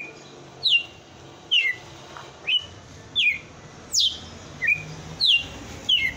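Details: A kept red-cowled cardinal delivers its strong 'açoite' song, sharp downslurred whistles repeated eight times over six seconds against a faint steady hiss.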